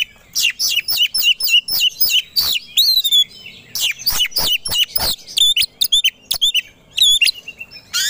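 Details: Oriental magpie-robin (kacer) in an aggressive, fight-ready song meant to provoke rivals. Sharp, loud chirps fire in rapid series, mixed with ringing down-slurred whistles and brief pauses between phrases.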